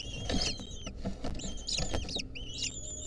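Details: Wild lesser kestrel nestlings at a nest in 2023, with a centipede clinging onto them, give high, thin, wavering squeals in three short bursts over low rustling and scuffling.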